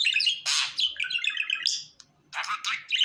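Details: Happy pet budgie chirping: a quick run of bright, twittering notes and scratchy warbles, a brief pause, then more buzzy chirps.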